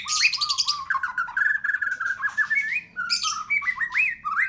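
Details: White-rumped shama (murai batu) of Medan type at a bird farm delivering a rapid run of warbled notes, short rising whistles and upslurs strung together almost continuously, with faint low hum beneath.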